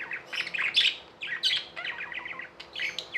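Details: Tame budgies give loud harsh chirps and squawky warbles in quick uneven bursts, several birds calling at once indoors.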